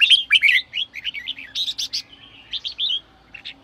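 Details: Bulbul with red whiskers delivering sổ bọng song to encourage young birds: a loud burst of tumbling chirps first, then warbling notes fading into a few soft calls.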